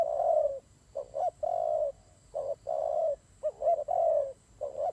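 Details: Doves fighting, giving repeated low hoarse coos that alternate long droning notes with quick double-note bursts, roughly one phrase per second, over a thin background hiss.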